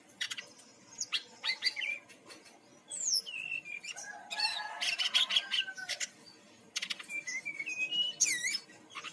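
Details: Brown-chested jungle flycatcher from Bali, its song used as a lure to set birds singing: varied whistled slurs, buzzy rattles and chattering phrases in bursts, with a short pause near the end.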